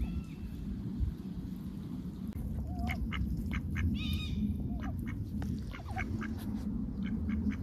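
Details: Lively ducks on a heavily overcast day, heard close up: short nasal quacks come in scattered bursts, a few thin whistled notes slip between them, and a steady low rumble lies underneath.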